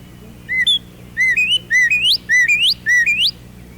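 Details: A male northern cardinal singing in spring from the top of a tall maple tree gives loud, clear whistled phrases, 'pretty pretty pretty', each a short note then a sharply rising slur, repeated about five times over a low hum.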